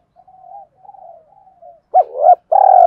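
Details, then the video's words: Spotted dove cooing to encourage other doves to coo: three faint, drawn-out, wavering coos, then two loud slurred notes and the beginning of a rolling purr. "tiếng cu gáy thúc gáy gọi// cu gay kich boi nhanh noi gù hiệu quả"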